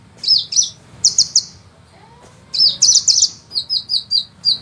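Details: Sunbird used as master song for training songbirds: clusters of short, very high chirps, a brief silence in the middle, then a livelier run of sharp notes.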